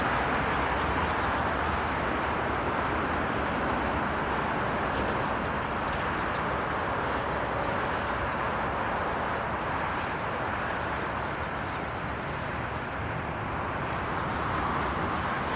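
A European serin sings very high, fast, jingling phrases of varied chirps, each lasting a few seconds with short pauses between, over a steady background hiss.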